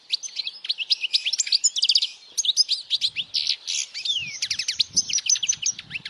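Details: Powerful European goldfinch song for teaching young birds and attracting females: continuous high, tinkling twitter with rapid trills, sweeping downward slurs and buzzy clustered notes, faint low thumps in the background.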